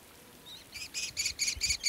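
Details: Common kestrel juveniles, six chicks raised by their father alone, mobbing him for food: harsh, hissing begging calls start faintly, then come as loud rasping bursts about every quarter second.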